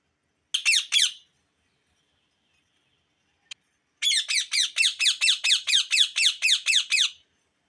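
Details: Ringneck parakeet chirping: a short pair of grating screechy notes, silence, then a long steady burst of about thirteen rapid harsh chirps.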